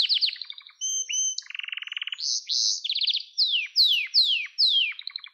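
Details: Varied canary song for training young canaries: sharp chips, steady whistles, a fast low rattling roll, buzzy bursts, then four loud down-slurred notes at an even pace.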